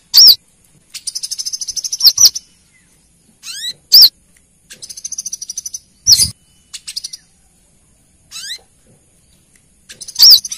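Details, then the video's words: A female brown-throated sunbird (Anthreptes malacensis) gives a lure call to the male: bursts of rapid, high, buzzy trills broken by sharp single chips and short rising notes. "Suara pancingan kolibri kelapa betina memanggil jantan"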